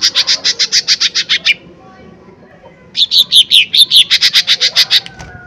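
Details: Lesser green leafbird singing loudly as a lure: a fast series of about fourteen high chips, a pause, then downslurred whistles running into another quick chip series.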